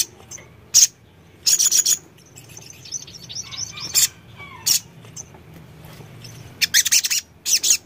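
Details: Crimson sunbird played as a therapy sound to prompt other birds to respond: scattered bursts of piercing, very high chirps and short trills separated by quiet gaps, with faint thin twitters between.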